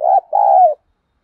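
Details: Decoy spotted dove in 'giọng thổ' voice, cooing to draw in rival wild doves. A brief loud coo gives way to a longer, smooth, gently falling note, then silence.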